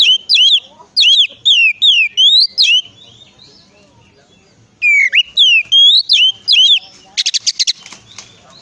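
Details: Oriental magpie-robin song played to prompt other magpie-robins into singing: repeated phrases of quick up-and-down slurred whistles, a silent gap, the same phrases again, then a short rapid buzzy rattle.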